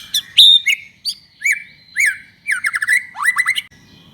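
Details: White-rumped shama in prolific singing form, used as a lure song to provoke other shamas to sing: a sequence of clear whistled notes, a sustained high whistle, then quick downslurred phrases and a burst of rapid rising chips.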